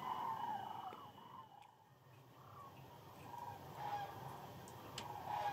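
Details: Huge night gathering of sandhill cranes along the Platte River during peak northern migration: rattling, bugling calls rise and fall in a thick overlapping chorus, louder at the start and end, with a few sharp clicks.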